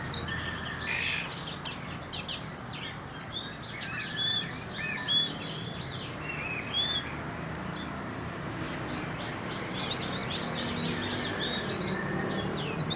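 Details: Leg-ringed orange-headed thrush at a bird shop in Graha Raya, Serpong, singing prolifically: a quick stream of varied high, sweeping chirps and whistled notes in short bursts over a steady background hiss.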